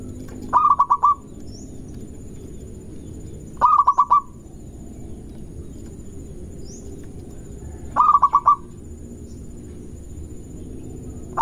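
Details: Local zebra dove singing a fast lure song meant to provoke rivals: a short trilled, stuttering cooing burst of four or five notes, repeated about every three to four seconds, over steady low background hum and faint high chirps.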